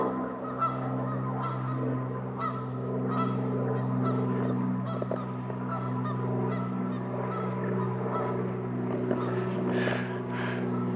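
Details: Repeated nasal honks from a Canada goose in the wetlands of Lake Rebecca Park Reserve, Minnesota, coming in quick uneven series above a constant low tonal hum, with a louder honk cluster near the end.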